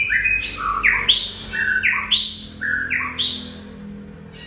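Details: Singing white-rumped shama with vigorous, varied phrases. Whistles leap between low and high pitches, each capped with a harsh, ringing top note, about one phrase a second. A faint low drone sits in the background.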